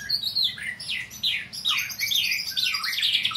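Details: Training session of a white-rumped shama: a lively string of high bright whistles and chattering notes, many dropping sharply in pitch, loud phrases separated by short gaps, in a quiet indoor setting.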